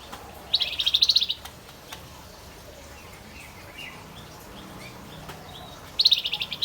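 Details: Male Javan white-eye in full song: two short bursts of rapid, high twittering notes, one near the start and one at the end, separated by a long quiet stretch with faint background hiss.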